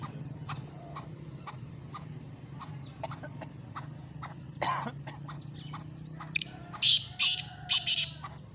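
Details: Black francolin, known locally as kala teetar, calling: after a stretch of low hum and faint ticks, a loud harsh call of four grating, buzzy bursts in quick rhythmic succession near the end.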